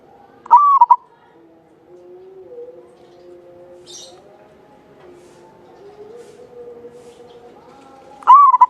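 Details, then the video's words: {'caption': 'Javanese zebra dove, a local bird in active song: one clear, warbling coo phrase near the start and another beginning at the end, with soft tonal hum and a brief high chirp between.'} "Perkutut lokal jawa gacor buat pancingan suara panjang bening"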